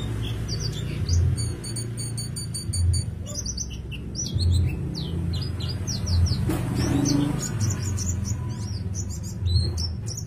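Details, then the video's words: Indonesian white-eye singing hard in ngalas and teler styles and rolling out many learned fill-in phrases: quick high chirps and slurred whistles, clusters of fast stuttering notes, one brief lower note midway, with a constant low background hum. "PLECI GACOR ngalas gaya teler bongkar isian"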